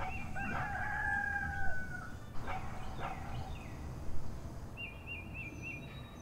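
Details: A rooster in the English countryside on a rural morning gives one long, hoarse crow that trails off, then a couple of short bursts, while a small bird warbles briefly in the background.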